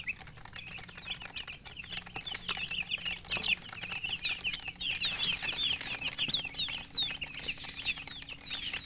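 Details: Thirsty poultry chicks of mixed colours calling for water: many shrill peeps tumbling over one another, roughly two or more per second, growing busier and louder toward the end over a steady low hum.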